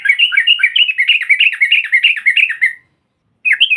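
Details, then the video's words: Female sooty-headed bulbul in a long ngropel chatter meant to provoke rival birds: almost three seconds of fast, wavering, up-and-down notes without a break, a short silence, then a new burst begins. "SEKALI PUTAR SEMUA TRUCUKAN NYAUT NGROPEL Seketika"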